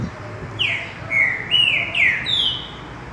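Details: Mateiro-style song of a green-winged saltator: a rich phrase of five ringing whistles, some slurred downward, some held level, closing on a high drawn-out note, with faint low background noise.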